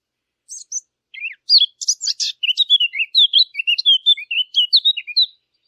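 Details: Bright bird chirping: rapid high twitters and downslurred whistles follow one another almost without break for about four seconds.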